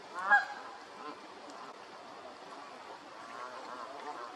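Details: Canada goose giving one loud, harmonic honk near the start, then softer murmuring calls over a steady background hiss.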